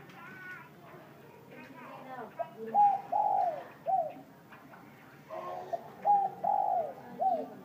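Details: Warm-voiced spotted dove cooing through the noon hours, noted for its soft 'gù trộm' cooing; two series of short mellow coos, each rising then falling, with people talking at the start and in between.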